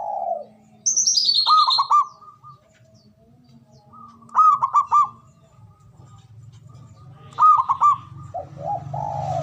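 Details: Male zebra dove giving repeated ngoar manggung calls, used to raise mating arousal: three phrases of rapid, clipped cooing notes about three seconds apart, plus lower drawn coos. One high, descending whistled series comes from another bird.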